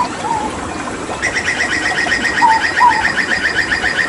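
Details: Papuan hooded butcherbird, a mimic, singing in tembakan style: a fast, even stream of short repeated notes about two per second, with occasional lower slurred whistles over it.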